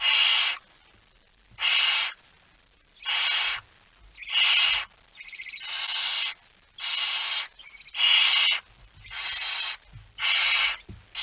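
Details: Barn owl with prey, a mouse, at night on 17 September 2019: a steady series of about nine harsh, noisy hissing screeches, each around half a second long, repeated roughly every 1.2 seconds.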